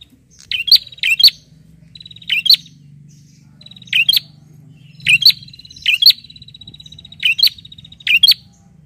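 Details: Bar-winged prinia calling to a rival, pouring out a steady series of loud, clipped double chirps roughly every second, with a faint buzzy whistle between phrases.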